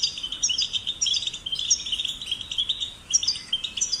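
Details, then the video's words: European goldfinch chicks, for stimulation of singing, pour out a fast, unbroken twittering warble, high and slightly buzzy, notes running together with brief dips, light hiss behind. "Goldfinch Chicks Ringtones in the Cage and Nature for Stimulation"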